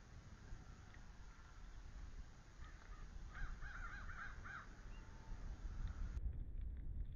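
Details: Bald eagle pair at the NCTC nest, March 9 2013 just after noon, as the male delivers a small fish that the female mantles before an incubation switch. A faint burst of rapid, repeated high chattering notes lasts about a second over steady low wind rumble.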